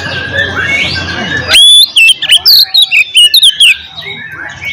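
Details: Oriental magpie-robin delivering a fighting song to incite rivals; after a noisy start, a loud string of sharp whistled notes, quick slurs and chattering phrases, bursts spaced fractions of a second apart.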